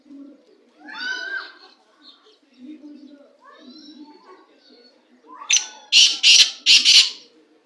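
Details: Black francolin calling, with mixed calls: soft, scattered chatter and murmuring at first, then four loud, harsh, raspy bursts in quick succession near the end.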